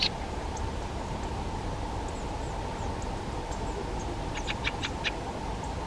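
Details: Harsh clipped chack notes from a Fieldfare come in a brisk series of about five toward the end, with faint thin chirps from other birds and a constant hum behind.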